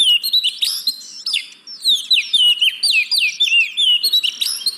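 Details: Kacer, the oriental magpie-robin, in continuous lively song meant to coax lazy birds into singing, with fast strings of bright whistled slurs, sharp chirps and trills running almost without pause.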